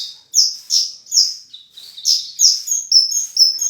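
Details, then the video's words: Horsfield's bush lark, full isian gacor song: a few sharp downslurred chirps, then a run of thin, high whistled notes. "Burung Branjangan Gacor full isian"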